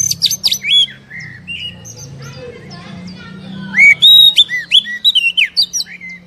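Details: Oriental magpie-robin song meant to stimulate a caged bird: opening burst of sharp whistles and chatter, a humming lull with faint notes, then bright slurred whistles and rapid clipped phrases.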